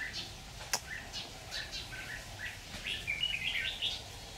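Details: Trapping of red-whiskered bulbuls with a decoy, 26 October 2019: short scattered chirps and a sharp click, then a lively warbled, whistled phrase near the end, over a low droning background.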